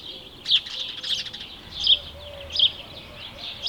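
House sparrow giving bright, chirpy calls in uneven bursts about once a second, with soft twittering between them over a faint low background hum.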